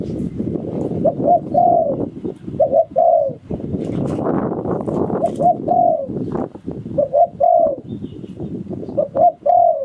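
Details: Spotted dove decoy bird in Thailand, singing in the 'sai phon liu tan' style: four phrases of low coos, each two short notes and then a longer falling coo, over steady loud rumbling and rustling background noise.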